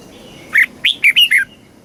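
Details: Red-whiskered bulbul kept caged in Thailand, singing a southern-style phrase used to teach young birds: five clear, quick whistled notes, rising then falling, packed into under one second.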